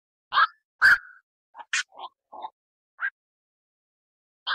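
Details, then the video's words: Night heron producing scattered, abrupt, harsh 'kwok' croaks, some with a short whistled tail. The calls come singly with pauses between them in a quiet setting. "অক পাখির ডাক / বাকচু পাখির ডাক / বাকচো পাখির সেরা ডাক / Night Hiron Bird Call"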